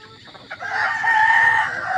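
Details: Hen crowing, rare behaviour that folk belief links to good luck: a few short rough notes, then a sustained, loud, hoarse crow held for over a second.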